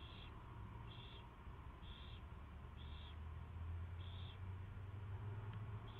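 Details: An owl at its first feeding, recorded February 24, 2016 at 2:15 PM, makes a run of six brief wheezy hisses roughly one second apart over low mechanical hum.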